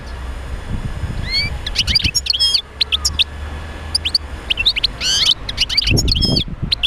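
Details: Goldfinch singing to stimulate other goldfinches to sing: a near-continuous stream of high twittering, liquid chirps and short rising whistles, with a brief low thud and background rumble.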